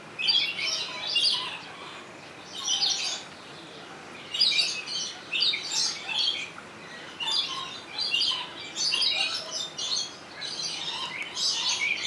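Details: Rainbow lorikeet in Opole Zoo, Sony HDR-XR160E camcorder: loud, harsh, high screeches repeated in bursts about every second across twelve seconds, some doubled, with short quiet gaps between groups.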